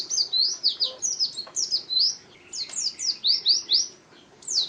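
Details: Pleci (white-eye) kept as a singing pet: clusters of bright, high, down-slurred chirps in quick phrases separated by short silences, over a quiet low hum.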